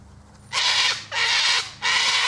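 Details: Three powerful rasping cockatoo shrieks in quick succession, each a dense, noisy burst about half a second long.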